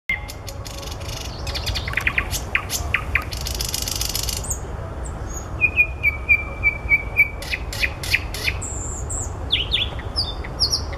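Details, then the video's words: Common nightingale singing among flowers: rapid runs of dry clicking notes, then a steady series of repeated high piping whistles and scattered sharp chirps over a low background rumble. "Соловей поёт в цветах"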